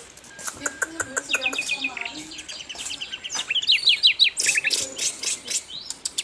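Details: Asian brown flycatcher, locally sikatan londo, singing in a bird-training recording: quick high chirps and short rapid trills in irregular bursts, with some lower, buzzier harmonic notes early on.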